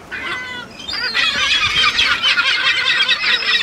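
Kelp gulls: a nasal, mewing call opens, then many gulls break into a dense, overlapping chorus of harsh squealing cries, roughly two or three a second.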